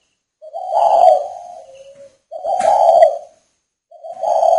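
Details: Captive male spotted dove at a breeding farm in northern Vietnam, on a rainy day, cooing: three low, drawn-out hoarse coos, each about a second long, separated by short silences.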